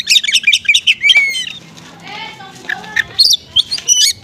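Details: Konslet-style oriental magpie-robin song with small-bird material, played to lure slow-responding magpie-robins: a burst of quick high chattering notes, then a sliding whistle, a quieter pause and sharp scattered chips.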